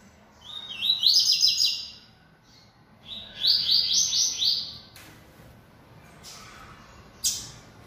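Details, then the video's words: A bold caged Yellow-bellied Seedeater sings repeatedly. Two high, bright phrases each open with a rising whistle, then break into fast looping trilled notes. A few sharp clicks and knocks sound in the pauses. "Coleiro Baiano Atrevido Cantando Muito"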